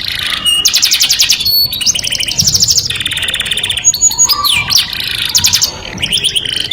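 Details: Song of a canary, said to draw the opposite sex: a string of varied tours, with pulsed high trills, a lower steady rattle, a descending slide and quick chattering notes, each shifting after a second or two.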